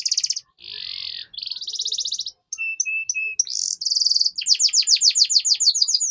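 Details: Long continuous canary song, recorded as a master for training young canaries to sing soon: dense buzzy rolls, a few pure level whistles, then a rapid cascade of sharply descending sweeps.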